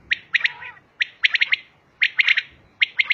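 Female common quail giving soft, clipped notes in quick bursts of two to four, repeated roughly once a second, with a quiet background.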